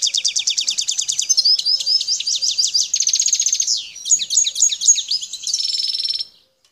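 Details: European goldfinch, wild Algerian bird, El Tarf region: an unbroken stream of quick, high, repeated twittering notes, mixing rattling trills and liquid downslurred phrases, fading out at the close.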